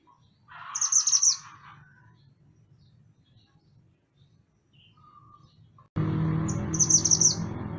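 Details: High, rapidly pulsed trill phrases from a lively mantenan gunung on a master track for songbird training, one early and one after a quiet gap, the second over loud broadband background noise.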